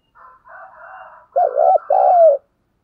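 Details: Spotted dove coos used to lure doves in the morning: a murmur of fainter bird notes, then two strong, low coos, the first dipping and rising, the second long and falling at the end.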